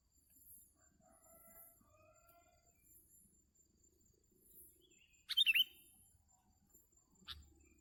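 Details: During bird trapping, a sooty-headed bulbul gives a single short, loud phrase of bubbly, twisting notes after a quiet stretch, followed by a brief click; otherwise near silence with faint distant chirps.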